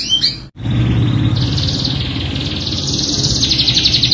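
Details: Canary lure song, pancingan with full isian: two quick swept notes, an abrupt break, then a long buzzy trill gradually rising in pitch over a low steady hum.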